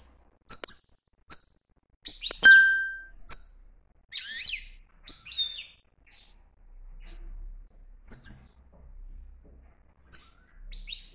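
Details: European goldfinch singing in the strong 'btbta' style from Morocco: a varied run of bright, high twittering notes and short buzzy phrases, broken by brief pauses over about eleven seconds.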